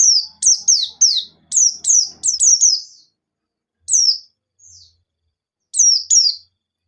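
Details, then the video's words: Vigorous white-eye song, wild 'ngalas nembak' style, used to prompt untrained white-eyes: a quick opening burst of about eight sharp falling whistles with faint background rustling, then sparse single and paired notes. "Burung Pleci Gacor Ngalas Nembak || Pancingan Penggacor Pleci Bahan"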